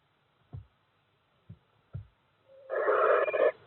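A barn owlet gives one harsh, rasping hiss-screech lasting about a second, after three dull low thumps.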